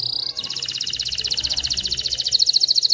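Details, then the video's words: Canary song used to train chicks to sing and stimulate females to mate: a rapid, even, high rolling trill of tightly repeated notes filling the whole stretch, with a faint low hum underneath. "تغريد طائر كناري خرافي لتعليم الفراخ على الغناء والاناث على التزاوج، Canary singing"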